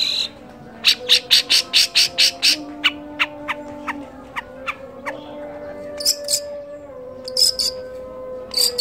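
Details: Cendet, the long-tailed shrike, copying kolibri, trucukan, lakbet, canary and more for training songbirds: a quick burst of even, ringing chips, then thin spaced ticks and a few harsh buzzy notes, all over a faint hum.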